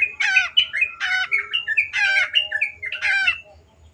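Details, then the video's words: Energetic long-tailed shrike song in 'gacor' style. Nasal, buzzy squawks alternate with clear whistled notes in a continuous chattering run that fades near the end. "MASTERAN BURUNG CENDET GACOR"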